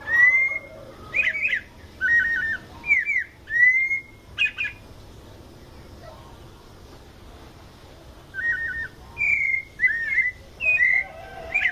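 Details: White-necked thrush singing a mateiro-style song in São Paulo state, Brazil: short whistled phrases, some slurred and some quick stuttering trills, come in two bursts separated by a pause of about four seconds.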